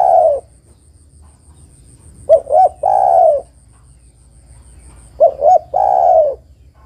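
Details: Calls of a female spotted dove summoning a male, used for trapping. Deep rolling coo phrases, two brief notes then a long descending purr, repeat about every three seconds, with low background hum.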